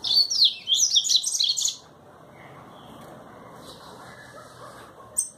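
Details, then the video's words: Double-collared seedeater from Brazil delivering a quick, high, jumbled twittering phrase lasting under two seconds, followed by near silence and a single sharp note at the end. "Papa capim trovão fazendo barulho"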